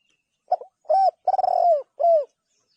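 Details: A spotted dove calls in a short mellow phrase: a clipped note, an arched coo, a long coo opening with rapid pulses, and a final falling coo. The recording is otherwise quiet.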